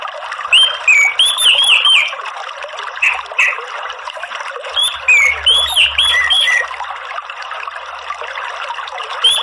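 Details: Morning song of an orange-headed thrush in the open ngeplong style: clusters of quick looping whistles and high slurred notes come in bursts. Quieter gaps fall between bursts, and a faint low rumble is heard in the middle.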